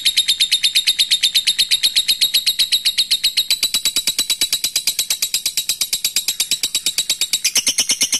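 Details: Lovebird in long ngekek song, played to call out a rival: an unbroken rapid chatter of high, thin, buzzy notes at a steady fast pace, rising slightly in pitch near the end.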